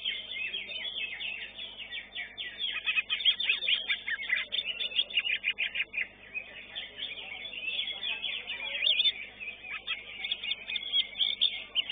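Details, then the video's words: Greater green leafbird, caged and entered in a singing contest, delivers a dense, rapid stream of varied chattering and whistled phrases with quick shifts and sharp notes, sung continuously with little pause. "CUCAK IJO"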